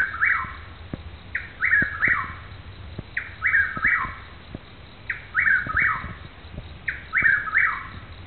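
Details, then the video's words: Chuck-will's-widow, not visible, in Newton County, Arkansas, repeats its rolling, whistled four-part phrase about every two seconds, five times, with faint clicks and thumps in the background. "chuck will's widow"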